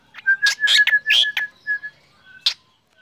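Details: Black drongo singing in the morning, a brief burst of loud harsh chirps and a steady whistled tone, then a lone sharp note after a pause.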